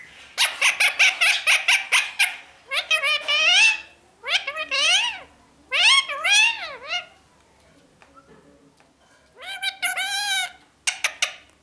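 A parrot chatters in a high, nasal voice: a quick burst of rapid repeated notes, then several word-like phrases that rise and fall, with short pauses between.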